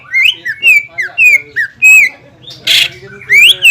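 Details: Greater green leafbird singing loudly to provoke a rival: clear slurred whistles, each rising then falling, repeated roughly every half second, with a harsh burst near the end and a steady low hum underneath.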